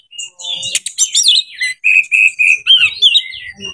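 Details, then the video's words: Kacer, the Oriental magpie-robin, singing a rival-seeking fight song used to prompt reluctant birds into long song. A rapid scratchy flourish is followed by a string of pure, steady whistles and rising and falling slurred notes. "CARI LAWAN TARUNG ⚪ RELAKSASI KACER SUSAH BUNYI BIKIN BERKICAU PANJANG"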